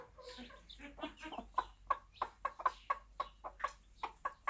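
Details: Bantam mother hen with her one-day-old chicks in a backyard on a small farm, giving short low clucks in a steady series of about three per second, with softer higher chick peeps mixed in early on.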